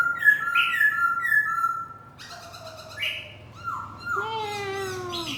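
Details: Laughingthrush used as a decoy bird, singing and dancing, delivers loud level whistles, then sliding notes and a long falling harmonic-rich call, over faint low hum.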